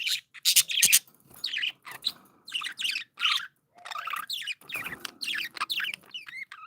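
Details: Pet budgerigars, described as happy and playful, chirping busily: a dense run of warbled, buzzy chirps and short squawky notes in quick bursts, several birds overlapping with brief pauses between bursts.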